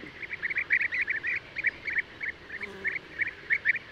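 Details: European bee-eater (Merops apiaster) giving quick clusters of short, trilled notes, dense in the first two seconds and then spaced about every quarter second. Light background hiss throughout.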